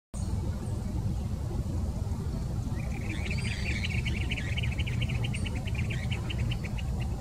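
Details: Planalto tyrannulet at the Jardim Botânico, São Paulo, Brazil, 28 May 2019, giving a quick, even series of thin, high notes for about four seconds over a steady roar of traffic.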